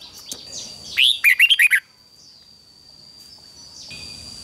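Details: Red-whiskered bulbul competition singing for training: a rising note followed by a quick series of five bright warbled notes, then near silence with a faint steady tone.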